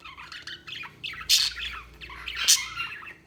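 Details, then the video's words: Budgerigar warbling with two sharp, harsh squawks breaking through soft, bubbling chatter. "Budgies Sounds| Budgies Chirping sound"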